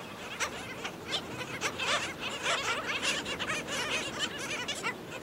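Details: Black skimmers at St. Pete Beach, Florida, where an adult feeds a chick, give a steady stream of harsh, yapping calls, several birds overlapping without pause like a busy colony chorus.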